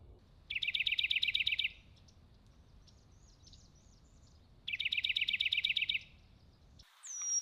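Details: Birds chirping outdoors over steady low background noise: two dense, fast trilled bursts of about a second each, separated by a quiet gap, with a short high whistle at the end.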